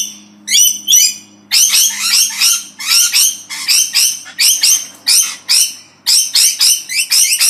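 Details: Parrots in noisy exchange: bursts of harsh, harmonic-rich squawks, at first single and spaced, then coming in rapid overlapping volleys nearly every half second, with short quiet gaps between runs.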